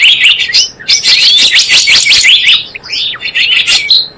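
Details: Java sparrow call meant to lure birds for trapping: nearly continuous high chatter of clipped chirps and short slurred notes, with brief breaks in the stream.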